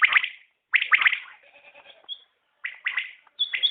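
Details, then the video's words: Common quail in a new recording, calling with quick triplets of sharp liquid notes, a soft low chatter between phrases and a thin high whistled note. "Batair Ki Awaz | Common Quail Calling| Naye Batair Ki Awaz|New Recording Common Quail| Batair sounds"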